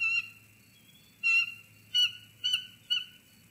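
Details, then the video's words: Two eagles perched together in a snag tree at Sauces Canyon on 17 February 2020, calling back and forth: four short, high, sharp chirping bursts spaced about half a second apart, over a low steady hum. "Sauces Canyon eagles; singing in the snag."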